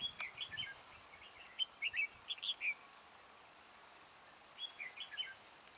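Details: Red-whiskered bulbul decoy, a slender bird with a soaring high voice, singing to lure wild birds into a trap. Short bright warbled phrases come in two bursts of quick chirpy notes, with a steady background hiss.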